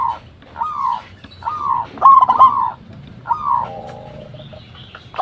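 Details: Local zebra dove giving a lure call meant to draw replies from other doves: short cooing phrases near one pitch, several notes bunched with stuttering breaks, repeated every second or so against faint background hiss.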